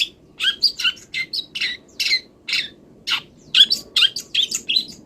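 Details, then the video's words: A long-tailed shrike, still moulting, sings a varied song of imitated wild birds: rapid sharp whistled notes mixed with harsh, scratchy ones. "MASTERAN CENDET FULL ISIAN BURUNG LIAR ● BELUM SELESAI MABUNG UDAH GA SABAR PENGEN GACOR"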